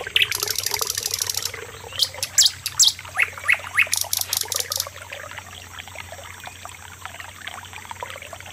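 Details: Common nightingale, locally called sikatan londo, singing loudly: harsh rattling bursts, a few short whistled notes around the middle, then sharp clicking bursts, with the song stopping after five seconds and leaving a quiet hiss.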